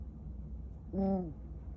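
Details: A captive Abyssinian long-eared owl at a Tokyo owl cafe gives one short, low, slightly falling hoot as a greeting, over a soft low rumble of background noise.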